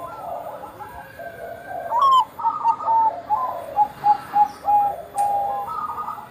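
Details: Zebra dove of the Bangkok type in active song, serving as a lure for other doves: a short high note, then a run of rapid, rhythmic clipped coos over a soft hiss.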